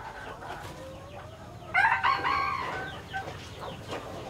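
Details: Somewhat distant, a Laos-strain hybrid red junglefowl rooster lets out a single brief hoarse crow that fades quickly, set against noisy background chatter and clucks.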